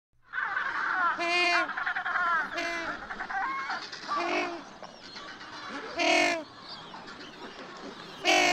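African penguins bray loudly with harsh, donkey-like honks that rise and fall, several birds calling together.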